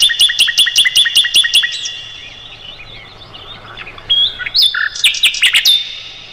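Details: Mugimaki flycatcher song for tutoring songbirds such as the white-rumped shama: an even row of about eight sharp high chirps, a soft pause with faint notes, then a loud cluster of chips and whistles.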